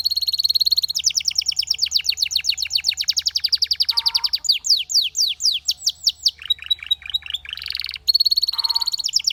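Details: Singing Belgian canary: a buzzy steady tone, long quick trills of sweeping notes, a set of wider slurs, then buzzy rolled passages.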